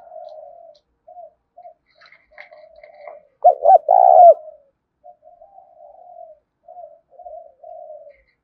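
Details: Spotted dove in 'thúc' luring voice for wild doves; low, gentle coos run throughout, with one loud, hoarse stuttered phrase in the middle.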